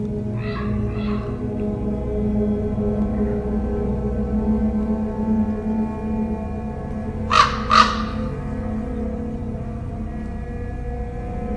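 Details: A Common Raven recorded on 21 January 2018 at Cootes Paradise Sanctuary, Hamilton, Ontario, Canada gives two pairs of harsh, croaking calls, one near the start and one later, over a steady bed of eerie music.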